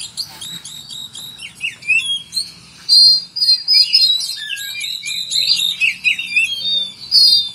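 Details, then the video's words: Oriental magpie-robin song packed with imitated cricket sounds: a run of quick, evenly spaced high chirps, then sweeping whistles and dense buzzy trills that grow louder around the middle before fading into scattered notes. "Kacer mewah full isian jangkrik"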